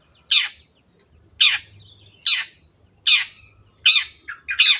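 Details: Long-tailed shrike recorded as training material for kept birds, giving loud, harsh rasping squawks about once a second, with a brief faint whistle between notes and a quicker double squawk at the close.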